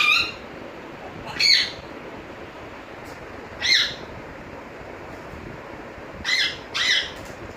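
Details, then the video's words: Captive African grey parrot that talks, whistles and calls names, giving isolated harsh squawks spaced about two to three seconds apart, some in quick doubled pairs, with steady background hiss between calls. "African Grey parrot taking, whistling,calling names"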